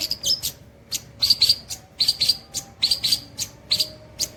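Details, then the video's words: Long-tailed shrike singing in the style called nembak cililin, delivered nonstop: short high chirps and brief whistled notes in a few quick bursts, over a faint steady low hum. "CENDET NEMBAK CILILIN TEMBUS BOLO"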